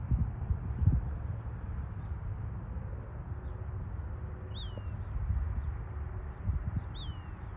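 A western wood-pewee gives two short, sharply down-slurred whistled notes about two and a half seconds apart over a steady low rumble of background noise.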